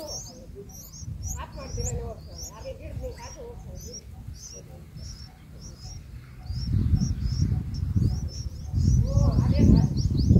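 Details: Bulbul chicks in the nest being fed by an adult give thin, high, rapid cheeps, several a second, over a low rumble of handling noise and a faint voice.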